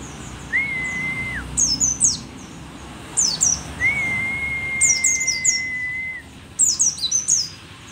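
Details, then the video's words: Rare Merapi-endemic pleci dakun, an old mountain white-eye in energetic song: repeated clusters of high, thin, downslurred chirps, alternating with two long level mid-pitched whistles, one lasting over two seconds. "pleci merapi tak kan pernah ingkar janji, tua tua gacor"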